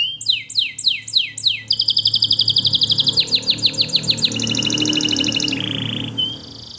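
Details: Singing canary used for song training: repeated downward-sweeping whistles, then a long fast rattling trill, a brief lower buzz and a short whistle, with faint background noise.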